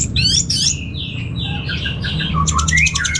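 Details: Caged orange-headed thrush in Bali, Indonesia, singing rapid clipped chirps followed by slurred whistles and a fast trill of repeated high notes, with low background hum.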